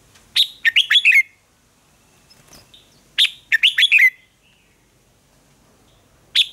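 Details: Red-whiskered bulbul singing in a contest, a caged bird trained to sing in the morning: loud, clear whistled phrases of five or six quick slurred notes, repeated about every three seconds, with quiet pauses between and faint background chirps.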